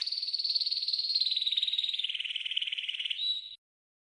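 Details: Training song of a green canary: one steady, fast pulsing roll about three and a half seconds long, drifting slightly lower before a brief whistled end note.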